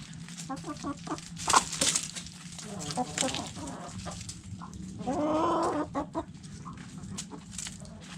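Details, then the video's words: Backyard chickens eating food scraps: hens give short scattered clucks, with a louder drawn-out harmonic squawk near the middle, over steady clicking and pecking noise and a low background hum. "Backyard Chickens Food Scraps Mukbang Sounds Noises Hens Clucking Roosters Crowing!"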